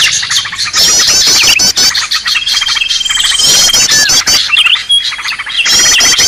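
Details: Green leafbird noisy call used as a lure for catching birds: dense overlapping chatter of harsh rapid notes, wavy high whistles and a long steady whistle in the middle, with a brief break near two seconds.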